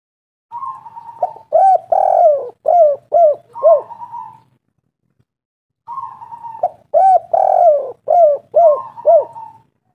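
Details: Spotted dove, a local bird used as a lure to draw other doves, giving two repeated phrases of mellow cooing: a drawn-out opening note, then several short looping coos, a pause of about a second between phrases.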